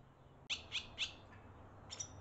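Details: In Las Cruces, Barn swallow (Hirundo rustica) nestlings beg for food from their parents: three quick harsh, buzzy squeaks about a quarter-second apart, then a thinner high note a second later, over a faint hum.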